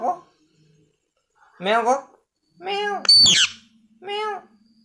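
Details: Talking parrot indoors, giving short voice-like syllables in bursts about a second apart, with harmonic, speech-like tones and a sharp squeaky note in the middle.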